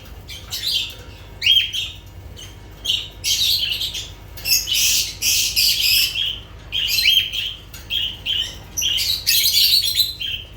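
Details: Lovebirds chattering noisily: shrill chirps and rasping, buzzy squawks tumbling in quick bursts, longer dense stretches broken by brief pauses, steady over ten seconds.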